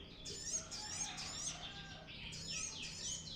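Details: Brown-throated sunbird, a vigorously singing bird whose recording serves as a lure for training other birds; rapid series of high, thin chirps and sweeping downward twitters repeated about every half second, over a faint low background hum.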